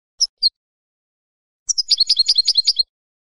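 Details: European goldfinch song meant to motivate novice birds to sing: two isolated high chirps, a second of silence, then a dense burst of rapid, tinkling twitters repeated about ten times.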